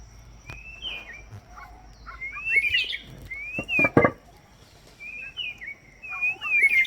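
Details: White-rumped shama perched on a branch on Kauai while a person whistles along; clear rising whistled slurs repeated every second or so, interleaved with sharp clicks and short chirps.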